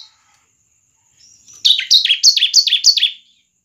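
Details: Bar-winged prinia singing a fast, lively 'semi crystal' style song, meant to prompt other prinias into singing; a faint high thin note, then five quick repeated high chirpy phrases, each sliding downward, packed into about one and a half seconds.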